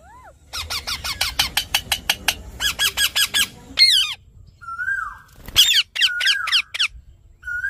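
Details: Alexandrine parrot in a fast series of short, harsh chattering notes, then drawn-out falling squawks and a mix of screeches and flat whistled tones.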